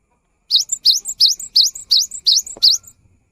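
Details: Cinereous tit singing steadily, a recording for getting silent gelatik batu to sing: seven even, high two-part phrases, a sharp rising note then a short higher one, with a single faint click near the end.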